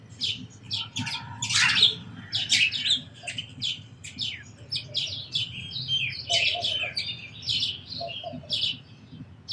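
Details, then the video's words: Many sparrows chatter with rapid, overlapping high chirps in lively runs, and a few lower notes show up midway. "Very Beautiful Birds & Sparrows Sounds"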